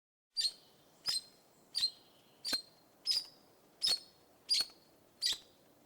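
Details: Red-rumped parrot giving eight short, sharp, high chirps in a steady series, roughly one every 0.7 seconds, each a brief bright click with a whistled tone, over a quiet background.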